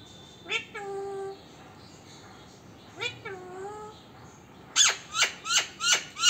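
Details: Talking parrot producing two drawn-out, speech-like vocal phrases followed by a quick run of five sharp, rising chirped notes.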